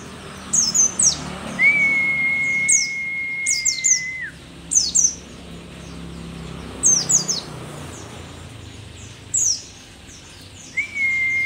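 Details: Mountain white-eye from Merapi, a rare endemic bird, old but singing actively: bursts of two or three high, sharply falling chirps every second or two, with long, steady, flat whistled tones below them.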